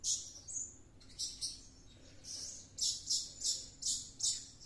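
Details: Blue-crowned hanging parrot singing energetically, seemingly possessed after coming back from luring wild birds; a sharp high-pitched chirp and thin whistle, then paired shrill squeaks repeated in bursts, fairly quiet surroundings.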